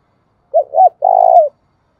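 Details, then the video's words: A spotted dove calls in the thúc bổi and gáy gọi manner: a short paired hoot, then one long, purring, low coo that tails off downward. The background is silent. "tiếng cu gáy thúc bổi & Gáy gọi mới nhất, chim gáy vừa dài và đẹp mã hót hay"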